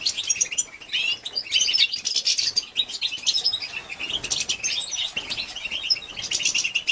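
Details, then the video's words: Calls of a female European goldfinch used to excite males, a thick chorus-like stream of high, rapid chips and sweeping twitters that keeps a constant busy rhythm. "بتبته لتهيج ذكور الحسون"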